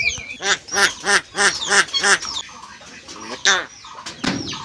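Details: A pet common hill myna, released from its enclosure and urged to talk, answers with a series of about seven loud, rasping, rhythmic calls in quick succession, then two more after a pause, with a person's voice nearby.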